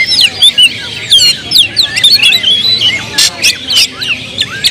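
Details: Agitated oriental magpie-robin song meant as a lure to rouse other birds: rapid, high, sweeping whistled notes and twittering phrases, interrupted by a harsh, noisy squawk just after three seconds.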